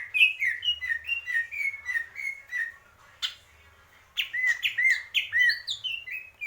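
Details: Greater green leafbird in purwo mendem gadong style, opening with a series of descending whistled notes, a brief pause, then a burst of loud rising and falling whistles and chips.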